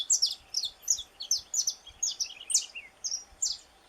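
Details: Saffron finch, part of Brazil's fauna, singing clipped high chirps and paired notes in quick succession, then a few spaced emphatic notes toward the end.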